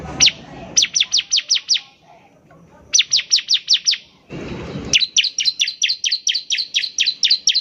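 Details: Bar-winged prinia singing vigorously, used as a lure to set other prinias singing quickly: rapid runs of five to eleven sharp, high chirps, each dropping in pitch, with short gaps between runs.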